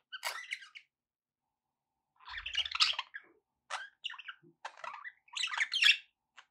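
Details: Budgerigar chirps intended to prompt a pet parrot to eat and sing, heard as rapid scratchy warbles and clicks in several irregular bursts, with a low thud near the middle.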